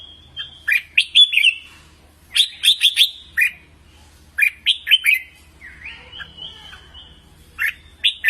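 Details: Training song of a red-whiskered bulbul in the contest style. Lively, clear whistled phrases of quick chirping notes are followed by a longer warbling run, with brief pauses between bursts and a steady low hum behind.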